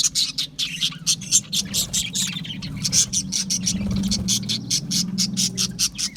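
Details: Budgerigars, small Australian parrots, chatter in a dense chorus of rapid high chirps and warbles, pulsing several times a second without pause, with a low steady hum underneath.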